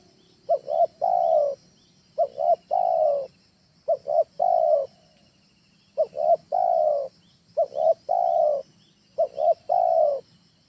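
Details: Tekukur ajaran, trained spotted dove calling as a lure at home: six steady phrases of two short punchy coos followed by a longer level coo, repeating roughly every 1.7 seconds. Faint high hiss in background.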